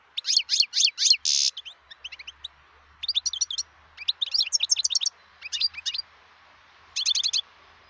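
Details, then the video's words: A wild European goldfinch sings in 2018. Four loud, quick downslurred notes and a harsh buzzy burst are followed by clusters of tinkling twitters, each cluster set apart by a short gap. Faint low rumbling runs underneath. "صوت الحسون البري"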